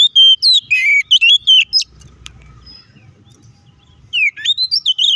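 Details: Oriental magpie-robin in aggressive fighting song used to agitate rivals: fast, loud whistled phrases with twisting slurs, a gap of about two seconds with soft low rumble, then the rapid whistling resumes.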